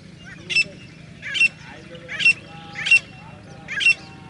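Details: Grey francolin calling: five short, harsh, shrill notes spaced roughly a second apart, each a brief loud burst, against a quiet background with faint low hum.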